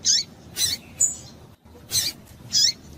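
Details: Female double-collared seedeater calling to excite males: a few loud, high, buzzy chips about half a second apart, one brief thin whistle, and a short silent gap midway.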